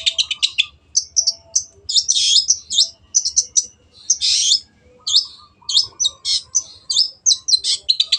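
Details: Long-tailed shrike in lively song with a clear voice: continuous mix of short chirps, buzzy squeaks and brief whistled phrases, varied and hurried throughout.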